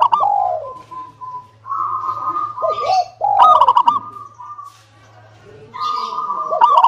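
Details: Local zebra dove song meant to set other doves singing: repeated phrases of low downslurred coos, level purring trills and a loud stuttered flourish, with a faint steady hum in the background.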